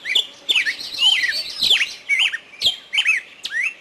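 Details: Birds in a forest give quick swooping whistles and harsh squeaky notes, closely spaced and overlapping.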